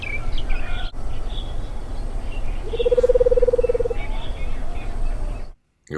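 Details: Madagascar hoopoe gives its rolling, trilling call, which differs from the Eurasian and African hoopoe song and recalls a screech owl. It is mellow and low-pitched, lasts about a second, and is heard over a low background rumble and faint voices.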